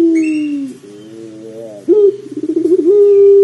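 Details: Deep cooing of a puter pelung dove in a recording meant to trigger calling: a falling held note, quiet wavering tones, then a sudden rise, a rapid pulsing roll and a sustained even coo, with a faint high chirp early on.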